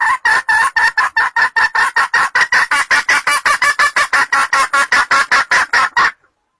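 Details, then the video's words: Sumatran junglefowl caller sound for luring birds into traps or hunting hides: a steady run of about thirty sharp, nasal clucks, roughly two and a half each second, ending abruptly in silence. "suara pemanggil ayam hutan sumatera"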